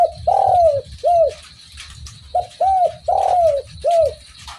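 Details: Spotted dove singing steadily, giving two phrases of mellow arched coos, each with a short opening note followed by longer, falling, hollow notes, with low background rumble.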